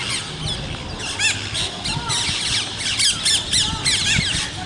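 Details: Rose-ringed parakeet calls outdoors: a series of harsh, high squawks and rising-falling screeches, several overlapping, over constant rural background noise and a low rumble.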